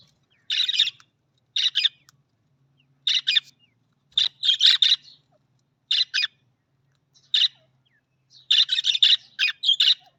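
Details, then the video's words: Budgerigar, the Australian parrot, giving harsh, buzzy chirps in short bursts of one to three notes with brief pauses between them, growing into a denser chatter near the end. "Australian Budgies parrot voice Australian parrot voice|| Budgies parrot"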